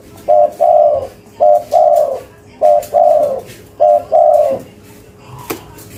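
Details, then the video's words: Repeated coo pairs from a local spotted dove in cetrekan style, each a short note and a longer falling coo, four pairs at an even pace, then a sharp click and quiet. "Suara Tekukur Lokal Gacor, Cetrekan‼5 Detik Auto Nyaut"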